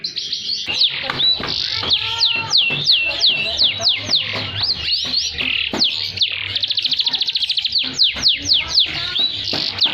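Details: Canary in full song with high and low passages, played to prompt silent canaries to sing and to tutor other birds: a dense run of rapid rising and falling whistled sweeps, buzzy trills and a fast rattling roll, with a faint low hum beneath.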